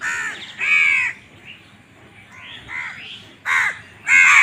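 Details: Crows fighting for food, uttering loud, hoarse caws spaced irregularly, with softer rising nasal notes and quieter background calls between the harsh outbursts.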